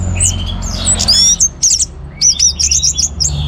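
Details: Vigorous orange-headed thrush song, a lively medley of high slurred whistles, quick ringing trills and a fast repeated series of piping notes near the end, with a faint low hum underneath.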